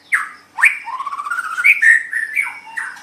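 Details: White-rumped shama in a song recording for training other songbirds. An unbroken, varied warble: a downslurred note, a sharp upsweep, then a rising, bubbling run of mixed whistles.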